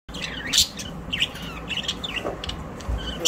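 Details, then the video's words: Budgerigars singing at home in Larkana, Sindh, recorded in September 2023; short bright chirps and warbled twitters, some rising, come irregularly over a steady low background hum. "singing sounds colorful parrot Bueatiful Budgies birds"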